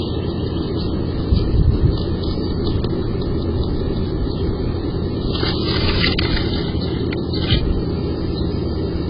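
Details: Loud, low rumbling noise like wind or traffic, with a few faint knocks and no animal voices.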